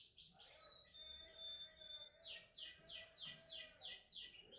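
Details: Canary singing during song-training practice, heard softly over background hiss: a level whistled note, then a steady series of about eight downward-sweeping notes repeated roughly every third of a second.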